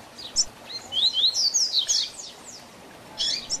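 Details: Double-collared seedeater, 'Tui Tui Zel Zel Diferenciado' tutor song for training young birds, delivers a rapid run of high, sharp slurred whistles, then a pause and a brief closing chirp burst.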